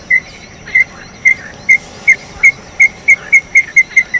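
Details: Small-billed tinamou, called inhambu-chororó, singing loudly: short, clear whistled notes, evenly pitched, that begin spaced about half a second apart and then speed up into a quick accelerating run, over a low rural background hum.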